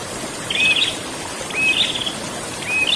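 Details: Prinia (prenjak) in continuous ngerol song: three phrases over three seconds, each a flat whistle beneath a buzzy, rising trill, set against an even hiss like running water.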